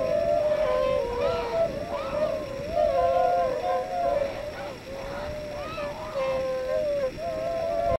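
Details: Tundra swan flock on spring northward migration at Yonago Waterbird Park, Tottori, Japan, around 8 a.m. on the 28th, circling before departing northeast: mellow, overlapping honking hoots in a steady chorus over a low rumble.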